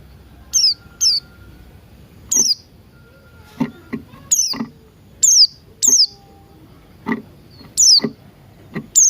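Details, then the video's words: Buxton's white-eye morning song, used as a lure to get other birds singing and opening their beaks: thin, high, sharply downslurred notes, often in quick pairs, over dry clicks and a soft lower bird voice. "Pleci Buxtoni Ngalas Pagi Hari"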